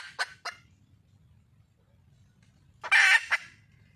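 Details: Wild red junglefowl hen calling for a mate: two sharp clucks, a quiet pause with low rumble, then one loud, rasping squawk and a final cluck.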